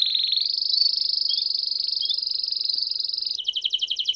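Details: Canary teaching song: a steady, high, buzzing rolled trill holding for over three seconds, then switching to a slower pulsed trill.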